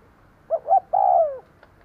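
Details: One clear phrase from a decoy spotted dove luring wild birds: two short hollow notes then a long coo that drifts downward, in a quiet setting.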